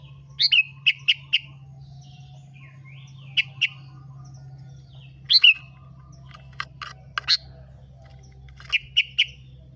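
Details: Kutilang (sooty-headed bulbul) song for luring other birds into voice: repeated bursts of three or four bright chirps, a louder bubbling phrase in the middle, and thin sharp clicks, with a low hum throughout.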